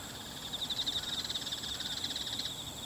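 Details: A bull-headed shrike, possibly female, perched on 22 September 2015 gives a fast, high, scratchy chattering series of about two seconds, not its territorial high-pitched call, over a steady high whine of insects.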